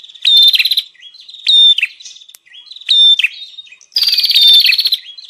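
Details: Bar-winged prinia lure call in the 'ribut' style, used to attract wild birds: a clear whistled note leading into a buzzy rattle, repeated about every 1.2 seconds, with soft chips between and a longer rattle at the end.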